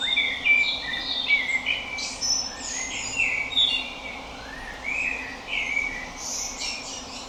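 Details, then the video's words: Melodic calls of a Common blackbird: quick runs of chirpy, slurred notes, rising and falling, come in bursts about every second, with a few thin high squeaks, against a steady rushing background noise. "Common Blackbird (Turdus merula) - Melodic Calls"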